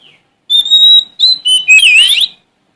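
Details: Sumatran Oriental magpie-robin singing to challenge an opponent: a drawn-out clear whistle, short stepped whistles at shifting pitch, and a closing rich, wavering warble that swoops up and down.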